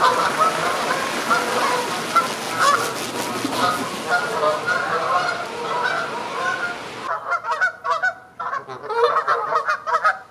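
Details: Dense chorus of Canada geese honking to advertise and protect territory or before taking flight: many overlapping nasal honks for seven seconds, then a sudden quieter stretch of scattered, separate honks.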